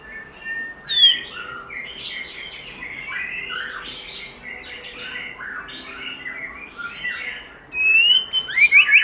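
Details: Continuous wild-style singing by a white-rumped shama, recorded uncut for training and stimulating other shamas: rambling, varied warble of short whistled notes and chatters, ending in a louder burst of thin high whistles.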